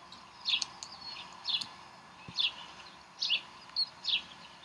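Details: Bald Eagles at their Decorah nest on 11 April 2012 while the chicks are fed brunch: thin, high, downslurred chirps about once a second, with a few irregular pauses, over a steady soft background hiss.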